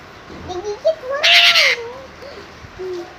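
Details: Asian pied starling screaming: a single harsh, broadband screech lasting about half a second, set among softer wavering whistled notes before and after.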